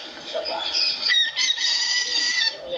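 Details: African lovebird kept as a pet, mimicking a rooster's crow: a drawn-out, strained, high crowing phrase of about two seconds with a rising start and level held middle.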